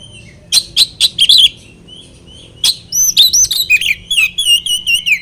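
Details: Oriental magpie-robin song played as a lure to agitate rival birds: a burst of loud, sharp clicking notes, a pause, then a fast, rich warble of varied whistles and rolling trills.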